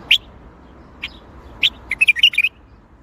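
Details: Bulbul song in the Baghdadi style: three separate clear chirps spaced apart, then a fast tumbling phrase of bright, rising and falling whistled notes.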